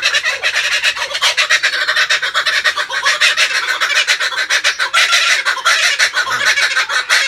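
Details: Kookaburra song as a dense, loud, continuous cackling chorus. Harsh notes overlap with almost no gaps and build to a raucous peak near the end.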